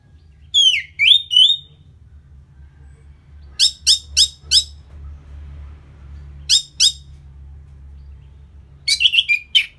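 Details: Orange-headed thrush after moulting, its song played to excite the bird: slurred whistles at the start, then clusters of rapid, sharp, high chipping notes separated by pauses of a few seconds, over steady low background hum.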